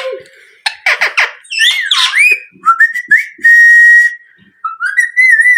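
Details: Parrot vocalising with clear whistles: a sequence of quick clicky notes and swooping whistles, then a long steady whistled tone and rising whistled phrases.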